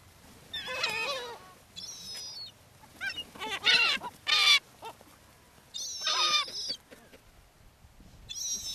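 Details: Gulls fed on the beach at Brean Sands, Somerset, England, in spring 2013: scattered bursts of shrill, wavering squeals and high keening cries separated by short quiet gaps.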